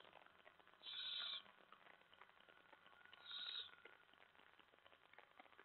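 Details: Owl during a night feeding when a mouse is delivered, July 25 at 2:07 AM; two short hissing, raspy begging calls about two seconds apart over a steady low hum and faint background noise.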